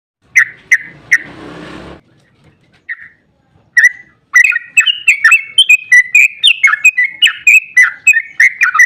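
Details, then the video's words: Sooty-headed bulbul (trucukan) singing an excited long rapid-fire 'ropel panjang' song used as a lure to make other bulbuls answer: a few bright chirps, a brief rough noise burst, then a dense run of quick warbled notes. "Trucukan GACOR ROPEL PANJANG EMOSI buat pancingan trucuk agar cepat bunyi"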